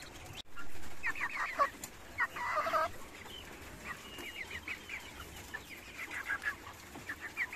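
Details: Cochin chickens and roosters kept in cages on a farm, giving short clucks and squawky notes in loose bursts, with one louder low thump near the start and quieter clucking through the rest.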